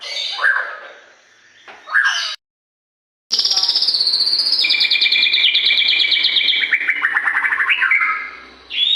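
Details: White-rumped shama song for stimulating captive birds: short sharp notes, a silent gap, then a long rapid buzzy trill that steps down in pitch and ends in quick chattering.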